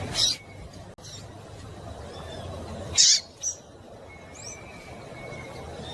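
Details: Female double-collared seedeater calling to stimulate a male: a loud high chip, a pause of nearly three seconds, then a strong chip followed by a fainter one, over steady hiss.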